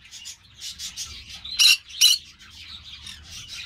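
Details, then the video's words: Two loud, harsh shrieks half a second apart from a Green-cheeked parakeet (Pyrrhura molinae), framed by softer raspy chatter. "Pyrrhura molinae - Parrocchetto guanceverdi"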